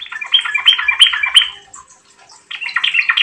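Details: Lively Yellow-vented bulbul song meant to draw other birds into singing: a long, even chattering phrase with bright accented notes about every third of a second, a pause, then another warbling phrase.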